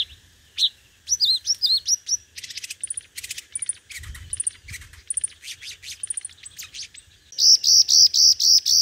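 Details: Five-coloured sunbird lure song for competitive singing: varied twittering upslurs and buzzy trills, rapid ticking notes, then a closing run of six loud buzzy notes at an even fast pace.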